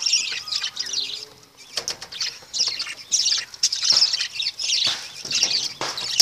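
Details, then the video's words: Lovebirds keep up a rough, high twittering in uneven bursts, with a faint lower whistle near the start and clicking sounds throughout. "Love birds"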